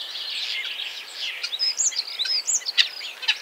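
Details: Common Starling song: a dense jumble of high chirps, whistles and clicks, with sharp rising and falling whistled notes and rapid scratchy bursts packed closely together.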